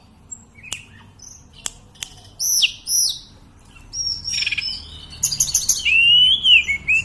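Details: Sunda robin (tledekan, sulingan gunung) singing steadily: scattered sharp clicks and short high notes build into a quick run of bright whistled phrases, some rising and falling, ending in a clear gliding whistle.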